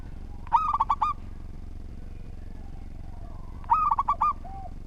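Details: Persistent local zebra dove giving its structured song. Two rolling phrases of about six quick coos come roughly three seconds apart, the second followed by a faint soft note, all over a constant low droning hum.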